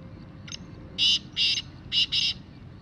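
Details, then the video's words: Black francolin (kala teetar) calling: one short faint note, then four loud harsh grating bursts in two pairs, each about a fifth of a second, over a steady low background hum. "Kala Teetar Full Sound"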